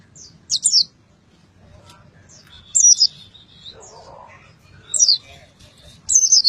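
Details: White-eye (pleci) from Boyolali, sung in the full 'isian' style with open beak: sparse high, thin chirped phrases about every two seconds, separated by quiet gaps, with a faint low rumble beneath.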